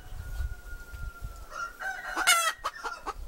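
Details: A thin steady whistle-like tone runs for two seconds over low rumbling noise before a hen breaks in with a harsh squawk followed by a few quick clucks.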